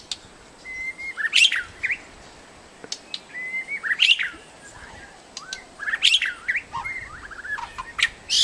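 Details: A medium-tailed white-rumped shama in a protected forest sings bursts of rich, varied whistles and sharp chirps, one phrase every two to three seconds, some notes held level and others sliding up or down.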